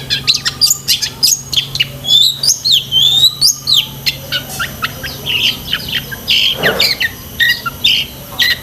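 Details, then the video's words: Long-tailed shrike in full 'gacor isian' song, used for training pet shrikes: a dense, varied run of sharp high chirps, rising and falling whistled slurs and quick trills, with a steady low hum beneath. "BURUNG CENDET GACOR ISIAN SEKEBUN"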